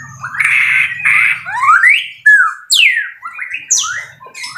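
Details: Caged fighter white-rumped shama giving loud song phrases: harsh buzzy notes followed by long rising and falling whistled slurs and sharp descending sweeps, with a low hum at the start.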